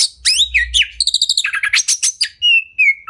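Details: Caged white-rumped shama, a training tutor bird, in a fast medley: sliding chirps, a rattling burst of rapid clicks, then several long clear level whistles near the end.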